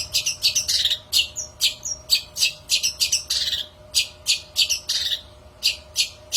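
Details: Long-tailed shrike song played to draw in shrikes: sharp, grating chirps and short squeaky whistles in quick succession, thinning into evenly spaced harsh notes near the end.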